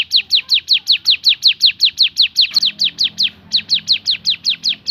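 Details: Rapid string of shrill descending notes from a Javan sunbird singing 'tembakan' style, briefly faltering near the middle before resuming at the same brisk, regular pace.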